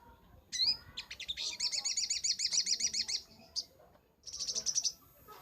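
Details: Crimson sunbird (sogok ontong) in vigorous 'gacor nembak' song, a master recording for training birds: a few high sweeping notes, then a fast, even, very high buzzy trill of about two seconds, a brief pause, and a shorter trill.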